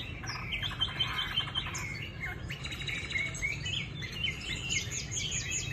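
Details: Chinese hwamei in a cage in Hanoi, Vietnam, delivering varied chirps and clipped whistles in quick bursts. Some notes sound rattly and others pure, all at moderate volume.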